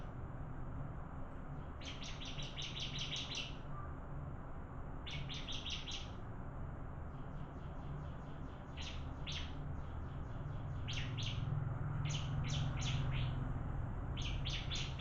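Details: Bar-winged prinia in a singing contest: bursts of rapid, high, dry chipping notes in quick runs, separated by short pauses, over a steady low rumbling hum.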